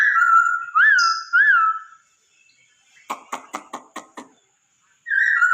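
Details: Masked laughingthrush song played to stimulate a pet bird to sing: clear, steady whistled notes with two quick upward-looping inflections, then a pause, a burst of dry clicks, and the whistle resuming.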